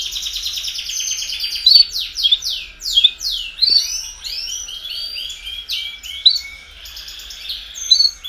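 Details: Chorus of domestic canaries singing to stimulate young birds to sing sooner: dense, overlapping high trills and rapid repeated notes, with bright downward-sweeping whistles and short rising slurs running continuously.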